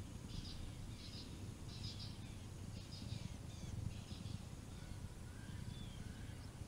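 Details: Male Swainson's spurfowl calling at Naledi Cat-EYE on 10 November 2020, showing off: a string of short, harsh, high rasping notes repeated under a second apart, with a soft whistle later and a constant low background rumble.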